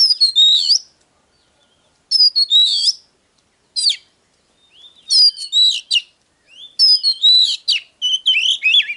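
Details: Oriental magpie-robin singing, recording intended to excite birds to sing and fight: rich, loud bursts of sweeping and trilled whistles, several phrases each lasting about a second, separated by brief silences.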